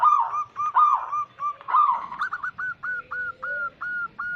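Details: Native wild zebra doves, a recording played to lure wild doves: bubbly, rolling coos that turn into an evenly spaced string of short clipped notes, with a softer lower voice underneath.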